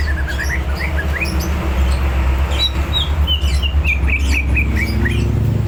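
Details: Greater green leafbird, hyped and ready to fight, singing varied short whistles and chirps, first rising then falling in quick succession, with a loud low hum throughout.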